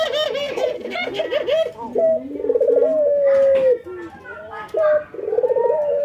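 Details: Caged ringneck doves, a white albino and a local bird, nodding and laughing during routine training; pulsed rolling notes slide into long level coos, several calls overlapping, with voices in the background.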